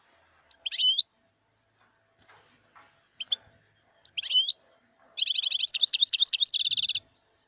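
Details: Wild European goldfinch singing: short bright twittering phrases separated by pauses, then a fast liquid, tinkling trill sustained over the last two seconds; otherwise quiet.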